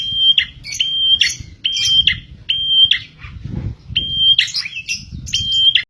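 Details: Spirited prenjak tilek (prinia) singing for use as a bird lure. Repeated bright level whistles with quick falling tails, broken by scratchy chatter and a short pause midway, against constant low-pitched background noise.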